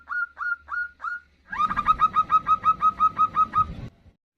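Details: Zebra dove female calling to the male, used as a lure sound: four separate clear rising coo notes, then a fast rhythmic series of about a dozen loud repeated coos with a low rumbling background.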